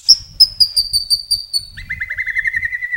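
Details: Indonesian murai batu (white-rumped shama) singing: a series of high piercing whistled notes slowing and stepping down, then a fast lower trill of buzzy repeated notes; a faint low rumble underneath.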